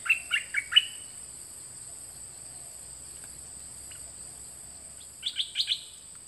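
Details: Dok taeng birds, two birds recorded in 2020 as a song for young birds to learn from: four quick, downslurred chirps, a long pause with steady high hiss, then another burst of four chirps.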